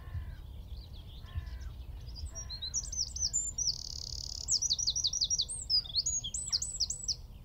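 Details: Eurasian wren singing from a tree at Wicken Fen, about 15 m away, recorded by mobile phone through a telescope with a shotgun mic; lower repeated notes from another bird open, then a high, rapid song of sharp trills and a sustained buzzy rattle follows.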